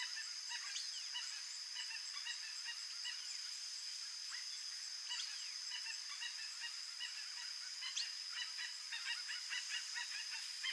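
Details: A wild Chestnut-bellied guan (Penelope ochrogaster), endemic to Central Brazil, gives short honking notes in quick irregular bursts over a steady, high-pitched insect drone.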